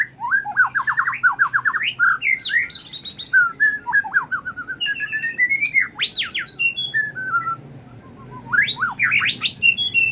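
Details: White-rumped shama from Medan singing in a bowing display style, used as a training lure: a loud varied run of rising whistles, rapid chattering trills and slurred phrases, pausing briefly near eight seconds before resuming.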